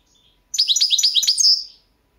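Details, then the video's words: Goldfinch of the subspecies Carduelis carduelis balcanica, championship song 2022; a flowing phrase of quick high chirps and slurred twitters building to a sustained bright whistled end. "Pesma štiglića 008/22 World Championship in Goldfinch Song"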